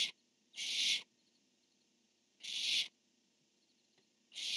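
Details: Barn owl pair on 10-1-15, the male calling and the female answering: harsh, hissing broadband screeches about half a second long, three in under five seconds with long quiet gaps and faint low hum.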